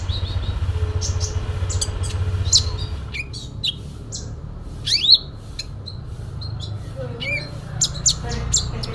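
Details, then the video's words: Fighting song of a sooty-headed bulbul rich in mimicked phrases: bursts of high chirps and steep upward sweeps, a brief pause, then scattered bright notes, with a constant low mechanical hum behind. "Konin Dacok full isian tarung"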